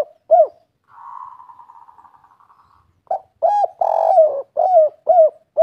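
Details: Spotted dove in 'kuk 3' style: two coos, a faint trembling buzzy sound lasting about two seconds, then a complete phrase of mellow coos with one long drawn note.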